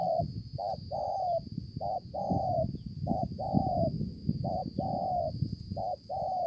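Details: Wild-caught spotted dove recorded in Konlong, 5/9/2020. Low mellow coos come in short-long pairs, the longer note drawn out, set against heavy low background rumble and a faint steady high tone.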